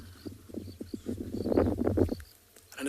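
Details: Two European rollers squawk while flying between marula trees on an afternoon safari drive in South Africa, 11 February 2021: a quick run of harsh, grating, rattling squawks, about eight in two seconds, over a steady low rumble of wind or engine.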